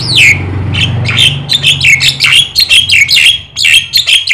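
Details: Black-winged starling, white-eyed form, in full energetic song used to stimulate other birds: rapid, continuous harsh chatter of buzzy downslurred notes, repeated several times a second without a break, loud and close.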